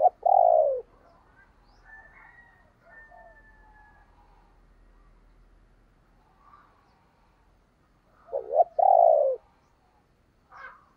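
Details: Decoy spotted dove meant to incite other doves to coo, giving a loud coo at the beginning, a long quiet stretch with faint notes, then a strong double coo near the end.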